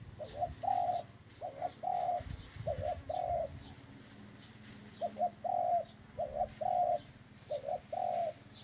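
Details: Repeated dove coos, each phrase a quick two-part note then a sustained hollow coo, given in steady series with brief pauses; faint small-bird chirps sound in the background.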